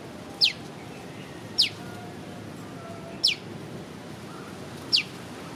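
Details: Prenjak lumut prinia uttering piw piw piw, captured on a Leica V-Lux camera: four bright, high, quickly falling piw notes at fairly even intervals of about one and a half seconds, over a quiet hum.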